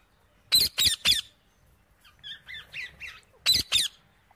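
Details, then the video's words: Wild parrot eating seeds, giving harsh loud squawks in bursts of three, then a softer run of short chattering notes, then two more harsh squawks. "jungali parrot Dana khate hue"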